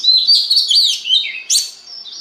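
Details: Oriental magpie-robin song for stimulating other magpie-robins to sing: a short, loud run of bright whistles and twisting slurs, then a sharp high note and a softer fading phrase.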